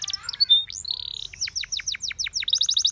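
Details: Canary song used for training and coaching canaries to sing: rapid varied phrases of high whistles, falling sweeps repeated in a quick series, then a fast trill of bright high notes at the end.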